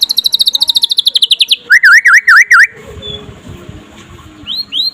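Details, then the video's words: Murai pastol white-rumped shama, trotol style, singing during the day to encourage other shamas: a very rapid high trill, then four loud V-shaped whistles, followed by soft background and two rising notes at the end. "SUARA KICAUAN BURUNG MURAI PASTOL DINLAGI HARI AGAR CEPAT GACOR"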